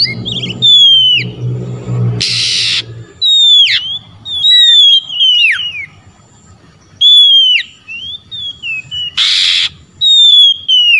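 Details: Oriental magpie-robin calling to rival birds that answer: clear descending and upswept whistles in short phrases with gaps, interrupted twice by a brief harsh hissing burst, with low rumble in the background.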